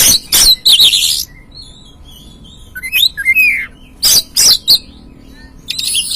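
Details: Oriental magpie-robin song played as a lure to make a newly caught caged bird sing: harsh broadband chattering bursts alternate with thin whistled notes and rising and falling slurred phrases.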